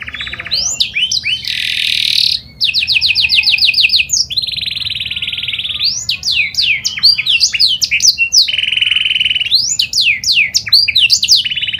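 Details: Lure song of a panda canary, used to prompt other canaries to sing: loud rolling trills, a harsh broadband burst, long sustained buzzy tones and rapid repeated whistled sweeps in a continuous outpouring.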